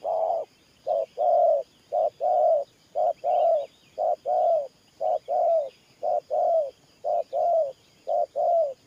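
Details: Spotted dove decoy cooing loudly and regularly in the Thổ Pha style: deep short-long double coos roughly every second, the longer note sliding slightly downward, with quiet background chirps.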